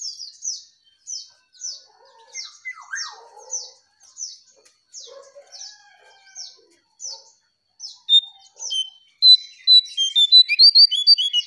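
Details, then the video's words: Striped tit-babbler lure song. High, scratchy chirps repeat about every half second, then a loud, fast series of clear whistled notes rises in volume at the end. "𝙋𝙖𝙣𝙘𝙞𝙣𝙜𝙖𝙣 𝙟𝙤𝙣𝙜𝙠𝙖𝙣𝙜𝙖𝙣 𝙥𝙖𝙡𝙞𝙣𝙜 𝙙𝙞𝙘𝙖𝙧𝙞"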